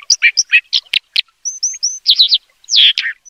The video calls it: Dipper Bird Call